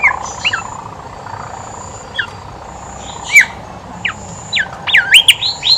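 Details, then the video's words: Horsfield's babbler singing actively, kept as a lure for birds slow to sing: a few sparse whistles, then a quick run of looping, wavering whistled notes near the end, over a constant hum. "BIMOLI/KANCILAN EMAS GACOR COCOK BUAT PANCINGAN BIMOLI MALAS BUNYI"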